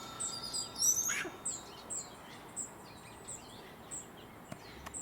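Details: Perched up in a tree in the Sierra foothills of California, a hummingbird gives its courtship song: a scratchy high squeak, then evenly spaced thin, very high chips, about three or four per second, over faint outdoor hiss.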